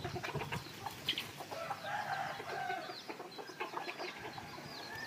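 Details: At a keeper's place in the evening, captive red junglefowl kept as decoy birds give quick, scattered clucks and one drawn-out mid-pitched note over a busy, rustling background.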